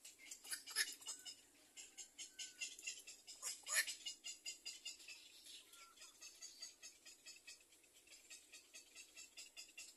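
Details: Nestling little egrets waiting to be fed. Two sharp, loud squawks stand out near the start, then a softer, rhythmic ticking chatter carries on steadily.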